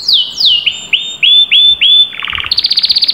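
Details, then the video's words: Canary in vigorous song: a string of clear whistles sliding downward, each repeated about three times a second, then a brief low chopped roll and a quick high staccato trill. "تمتلك كناري لم يغرد منذ فترة؟أسمعه هذا التحفيز 😚hot canary"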